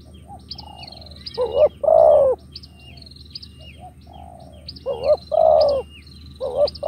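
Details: Captive spotted dove giving the rapid 'thúc gù' cooing style: short low hoarse coos building into a longer drawn-out coo, repeated twice, with faint high thin whistles from other birds behind.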